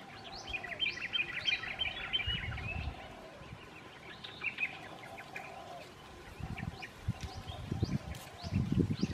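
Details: A yellow-eared barbet (Psilopogon australis) in Bali forest gives quick, high chirping notes in irregular bursts, about three per second, over low rumbling thumps and faint background bird calls.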